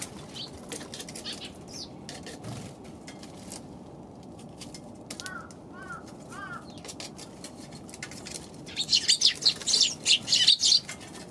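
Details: Eurasian tree sparrows on December 29: after quiet stretches with soft clicks and a few short downward notes, a burst of bright, rapid, overlapping chirps from several birds fills the last few seconds.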